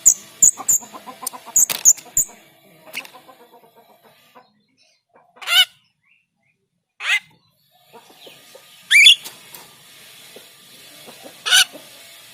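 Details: Rio Rio myna, kept to tutor other songbirds, singing a long, repetitive song: high thin whistled notes at first, then harsh, buzzy broadband bursts spaced roughly two seconds apart against quiet background.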